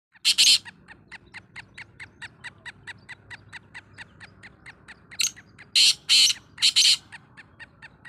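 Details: Black francolin call: loud, harsh, grating bursts in a phrase of short notes at the start and again near the end, with a faint, steady ticking repeated between them.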